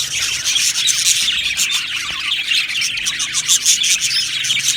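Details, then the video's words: Many budgies kept together in an aviary chirp and warble nonstop, an unbroken high twittering chorus with sharp squeaks scattered throughout. "Beautiful Budgies Birds Singing and Chirping Sounds"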